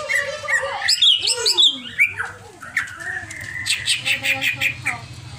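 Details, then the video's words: Greater green leafbird, described as agitated and over-excited, singing a varied run of whistled, slurred notes that rise and fall, then a quick series of short repeated phrases, with a steady low hum behind. "CIRI CUCAK IJO OVER EMOSI"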